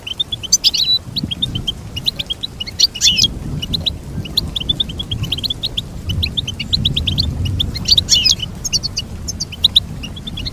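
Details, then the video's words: Extended goldfinch song of continuous high chattering and tinkling notes, with bursts of richer trilled phrases, over a steady low background rumble. "Teach your goldfinch to sing beautiful motivational songs"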